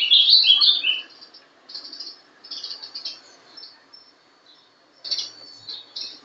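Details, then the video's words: Young captive Ultramarine grosbeak, born December 2012, singing in the Paraná style of the rising-and-falling type: a loud burst of bright warbled high notes in the first second, then soft scattered notes and another clear phrase near five seconds. "Azulão Sobe e Desce.(Bizulão) Filhote de alta genética. Canto Paraná."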